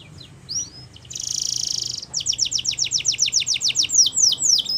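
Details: Wild canaries singing: a few high sweeping whistles, then a dense buzzy trill for about a second, followed by a fast run of descending slurred notes repeated roughly four per second.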